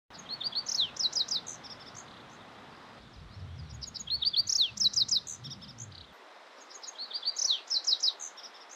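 A Lazuli Bunting sings three bright, high, jumbled phrases of quick paired notes, one about every three seconds, with faint low rumbling in the background.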